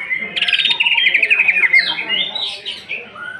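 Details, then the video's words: Kept greater green leafbird delivering a rapid stuttering trill that slides into slurred whistles and rising chirps, a lure song meant to provoke other birds to sing. "Pancingan emosi Cucak ijo. Cucak ijo nembak bongkar isian kasaran."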